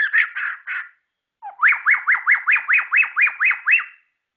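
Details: White-rumped shama, called murai ceram, making a few harsh chattering notes. After a short gap comes a steady run of about eleven sharp rising whistles, each repeated roughly every quarter second.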